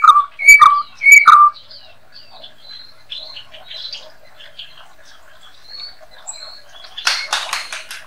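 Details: White-rumped shama, daily-kept bird, singing a master song for training songbirds: three strong, rich whistled notes in quick succession, followed by quieter varied chips and warbles, ending in a burst of harsh, rattling notes.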